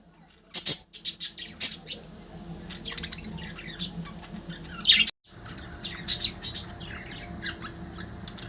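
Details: Pet budgerigars fighting each other: loud, harsh, high squawks in short bursts, the sharpest near the start and a strong one midway, then busy scratchy chatter, over a steady low indoor hum.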